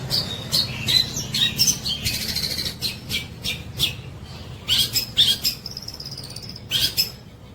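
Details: Long-tailed shrike singing with tengkek buto kingfisher imitation: clusters of harsh, scratchy high notes and squeaks, irregularly spaced, plus a drawn-out thin whistle near the end, above a low hum.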